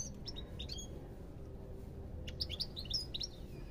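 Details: European goldfinch singing: bursts of quick, bright, tinkling chirps, some with ringing overtones, grouped in short phrases at the start and end, over a steady low background hum.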